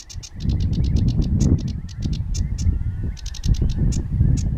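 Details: Sedge warbler singing by The Shunan in June 2011, a fast, chattering run of dry, high notes, about five a second, over heavy wind rumble.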